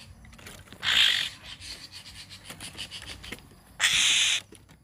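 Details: Hill myna chick calling, a call used to lure birds: two loud, harsh, raspy screeches about three seconds apart, each lasting about half a second, over a faint rustling background.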